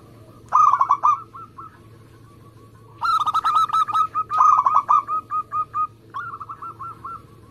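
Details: Local Indonesian zebra dove in lively song, used as a lure and a prompt for contest doves: quick bursts of staccato cooing notes near one pitch, the main burst running about three seconds, with softer trailing notes between phrases.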